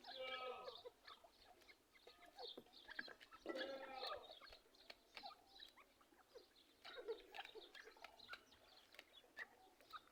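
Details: A pair of partridges (teetar) giving a busy mix of short chattering and clucking notes with scattered higher chirps, irregular bursts over ten seconds, no other clear sounds.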